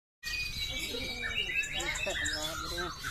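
White-rumped Shama singing a rich run of clear whistles and quick chattering phrases, rising and falling in pitch, over steady background noise.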